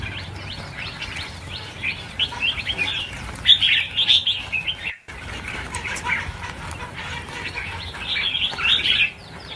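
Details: A mass release of around 1000 red-whiskered bulbuls: high, tangled chirps and twittering phrases from many birds at once, swelling in bursts, with faint fluttering in the background.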